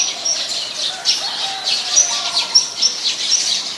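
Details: Eurasian tree sparrows, a very common resident, in Ubon Ratchathani, Thailand, on 10 May 2020: busy chatter of short, high chirps, several birds overlapping with bright sharp notes every half second or so.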